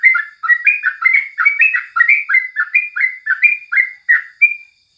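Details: Yellow-vented bulbul singing in the morning, used as a tutor recording: a lively run of bubbly, rising and falling whistled phrases, about three per second, with no other sounds.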